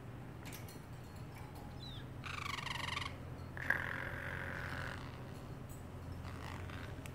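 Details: Pet parrotlet in a cage making funny sounds and meowing like a cat: a short faint squeak, then two rough, harmonic, cat-like meows of about a second each, over steady low background hum.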